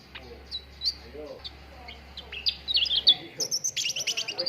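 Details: Cucak ranting lure for prompting caged contest birds to sing: sparse soft chirps at first, then a loud rapid string of high chirps repeated about three times a second, over a faint low hum.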